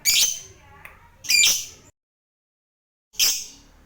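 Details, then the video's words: Lovebird fighter calling to prompt other lovebirds into long trilling: three harsh, high, screechy bursts, each about a third of a second, separated by a long silent pause. "Suara Burung Lovebird ini PINTAR Sekali Bikin Labet Cepat Ngekek"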